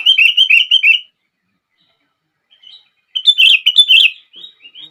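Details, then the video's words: Sooty-headed bulbul song used to set other bulbuls singing: a burst of rapid, bubbly chirped notes, a silent pause, then a second warbling phrase of bright notes ending in a few softer trailing notes. "Kutilang Lain gak bisa diam saat mendengar suara ini!!!"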